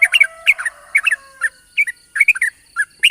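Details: Trucukan (yellow-vented bulbul) morning lure song in the long "ropel panjang" style: quick clusters of gurgling, bouncing notes in short phrases with brief gaps, over a faint thin high tone.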